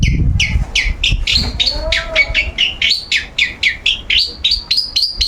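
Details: Long-tailed shrike, a pet bird sunbathing as part of its daily routine and singing without pause. A fast series of sharp, upward-flicking chirps repeats about four times a second and carries on steadily throughout.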